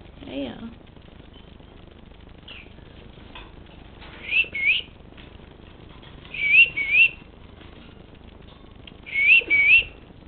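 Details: A hand-raised female masked lovebird, apparently upset by a video camera on first meeting it, gives three bursts of short, high, rising whistled notes, two or three at a time, a few seconds apart; a brief human voice at the start.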